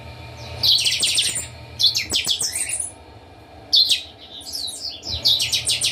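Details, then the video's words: A chorus of caged chopi blackbirds from a breeding aviary: sharp, rising whistled notes run into fast ringing phrases, several phrases overlapping, with a brief quiet pause midway and a low background hum. "Baderna com todos os chanchões do criatório"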